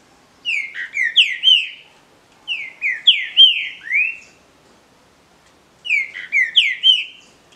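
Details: Green-winged saltators in a singing contest: three rich, whistled phrases of slurred rising and falling notes, each about a second and a half long, with short pauses between.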